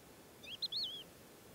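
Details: Wild Thekla lark singing at first light in stony desert near Boumalne Dades, Morocco, in March: a brief phrase of sweet, fluting whistles, one note rising and falling, against quiet background hiss.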